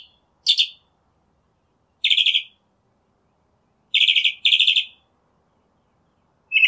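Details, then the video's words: Northern mockingbird singing a broken sequence of buzzy, rattling notes, single or paired, separated by pauses of a second or more. "Northern Mockingbird Song, Sound, Voice, Call, Melody - Sinsonte Canto - Mimus Polyglottos"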